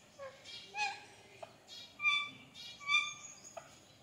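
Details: Green parrots calling: short harsh squawks and whistled notes with bright harmonic bands, several spaced bursts over four seconds, fairly quiet with faint background noise.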